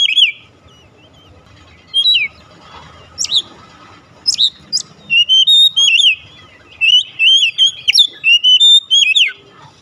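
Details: Oriental magpie-robin lure song for a house-kept bird: scattered sharp whistled notes at first, then a quickening, near-continuous stream of varied, slurred, rising and falling whistles over a faint background hum.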